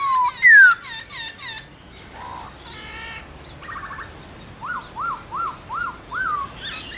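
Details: Black-throated laughingthrush singing its wild-type morning song: rich, varied whistled phrases, then a run of five or six quick upslurred notes about every third of a second.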